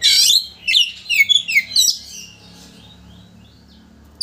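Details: Oriental magpie-robin giving a loud, rapid run of varied high whistles and chirps for about two seconds, then a faint low hum; used as a lure to provoke a rival magpie-robin into fanning its tail.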